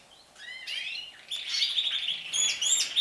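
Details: Canaries starting to sing more often and longer: a few soft rising whistled notes build into a dense, high rolling trill with fast repeated chirps and bright metallic notes.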